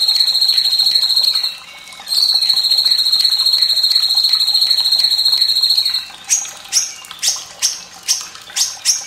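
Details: Fierce-voiced White-rumped shama song used as a tutor for young and untrained birds, with trickling water to prompt singing: sustained high rapid trill with a short break, then a series of sharp, clipped, bell-like notes about once a second.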